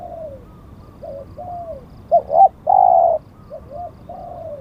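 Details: During decoy luring that netted a wild bird, a spotted dove gives soft falling coos, then a louder quick double note and a long rich coo, with fainter coos from a second dove around it.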